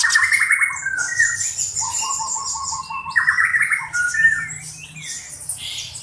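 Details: Black-browed reed warbler singing as a tutor bird for other songbirds; varied phrases of rough churrs, trilled whistles and grating notes, with loud bursts at the start and after three and four seconds.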